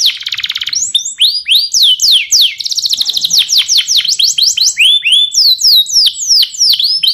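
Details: Yellow canary singing a training song: a rapid buzzy trill, then rolls of fast downslurred chirps and repeated sharp sweeping whistles, steady and loud.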